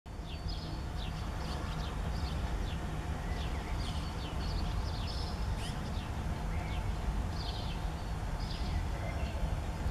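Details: Red-rumped swallows gleaning nest-building material on the ground give short, thin chirps in loose, irregular bursts, set against a heavy, steady low rumble of wind or distant traffic.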